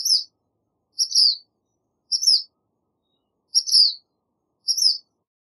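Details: Sayornis nigricans repeating short, high, sharp phrases roughly once a second, each a quick slurred chip with a faint higher overtone, no other sounds around.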